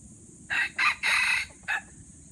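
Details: Aceh junglefowl, an F1 bird with white legs, gives a crow of four rough bursts, the third drawn out longest and a short clipped final note, against low rumbling background noise and a steady high hiss.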